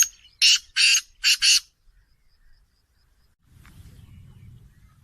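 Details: Black francolin, possibly caged, giving three harsh, buzzy grating notes in quick succession, followed by silence and then low rumbling background noise.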